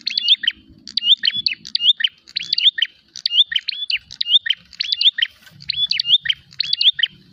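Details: Fighting prinia searching for a rival, delivering a steady run of loud, high chirped phrases, each a cluster of quick sliding notes, repeated a little faster than once per second with soft low background noise.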